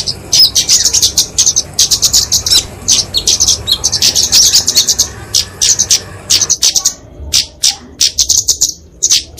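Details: Flowerpecker fighting song, used to train and lure small songbirds: rapid bursts of thin, high twittering notes in quick runs with short pauses, a few sharp clicks between phrases.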